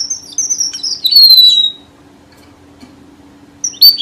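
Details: Red avadavat lure song for bird trapping: thin, high whistled notes sliding downward in a short twittering phrase, a quiet pause, then a bright squeaky whistle returning at the end.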